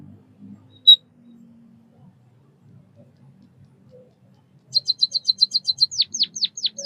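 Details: White-headed munia (Lonchura maja), a Southeast Asian songbird: one sharp high chip, a pause, then a rapid run of about ten high, even chirps, ending in several clear downslurred notes, with faint low rumble behind.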